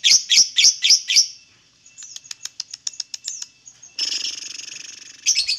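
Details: Lovebird singing, used to provoke other lovebirds into song: five loud, sharp, high chirps, a softer run of quick ticking notes, then a buzzy harsh stretch ending in more chirps.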